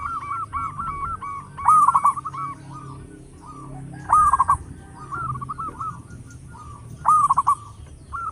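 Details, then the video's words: Zebra dove, a local bird with a big voice kept as a lure: loud trilled coo phrases recur about every two and a half seconds, with quieter cooing notes filling the gaps. "Perkutut lokal gacor suara besar bikin gempar bunyi seteras cocok buat pancingan"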